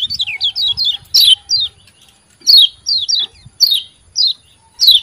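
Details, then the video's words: Kecial kuning white-eye chirping, used to coax lazy caged birds to sing: loud, sharp descending notes, first in a quick run, then singly about every half second, quiet background. "CIAK CIAK JOS KECIAL KUNING GACOR PANCINGAN KECIAL MALAS BUNYI"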